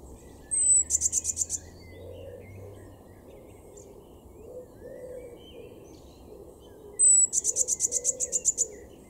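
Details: Eurasian blue tit in a garden in Weener, East Frisia, northwest Germany, April 2022. Two songs about six seconds apart each open with a thin high whistle, then a quick, shimmering high trill, over soft low cooing and a faint hum.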